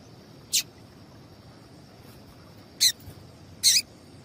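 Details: Three high, scratchy chirps from a female papa-capim seedeater, a call used to get males singing: one early note, then two more close together after a two-second gap, over a faint steady high tone.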